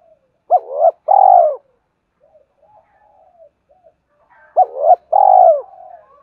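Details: Two short bursts from a spotted dove in "hai hậu" style, meant to make a decoy bird answer quickly. Each has a doubled hooked note followed by a long rolling buzzy coo, with soft low murmurs in between.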